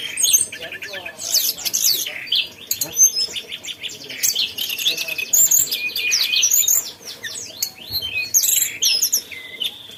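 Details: Mountain tailorbird singing a lively, busy song of rapid high chirps, trills and sharp whistled notes, densely layered and nearly continuous across the whole stretch.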